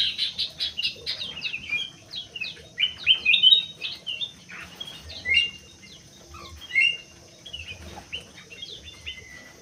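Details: Aviary Crewet delivering a busy high-pitched warble of quick chirps and downslurred whistles, loud at first and fading to sparser notes.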